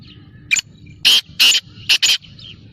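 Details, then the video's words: Black francolin, locally called kala teetar, giving a harsh, grating phrase of five rasping notes: a short clipped note, two longer strident notes, then a quick closing pair, over a faint low rural hum. "Kala Teetar Awaz / Blackfrancolin Voice کالا تیتر کی بولائی"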